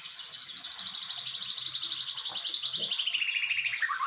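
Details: White-rumped shama song in the style of a bar-winged prinia: rapid runs of thin, high chipping notes repeated in quick series, some dropping in pitch near the end, with faint low background murmur.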